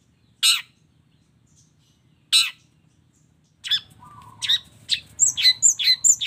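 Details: Long-tailed shrike in full song with mimicry fill-ins: two separate rasping notes, then a busier run of harsh chips and twisting high whistles with a low steady whistle beneath.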